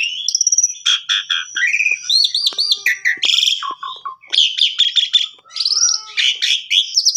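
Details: Varied Asian pied starling song used as a canary training model: repeated chirps, rising slurs, looping arched whistles, coarse buzzy bursts and dropping notes, delivered in quick succession with brief gaps.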